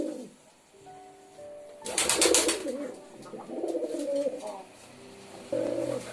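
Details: Pigeon cooing indoors: low rolling coos among a burst of wing flapping or scuffling, with a steady faint hum beneath.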